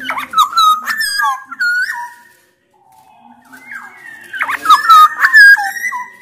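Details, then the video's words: Loud black-naped oriole song from Sumbawa, with Javan male and female orioles also present, used to coax quiet orioles into singing: two bursts of fluty, looping whistles that slide up and down, separated by a pause. "KICAUAN KEPODANG EMAS GACOR SUARA KERAS"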